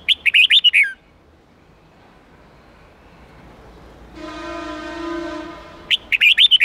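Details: Red-whiskered bulbul singing the 8-9-10 voice for training young birds in forest-standard song: quick sweet whistled phrases at start and end, with a steady horn-like tone sounding in between.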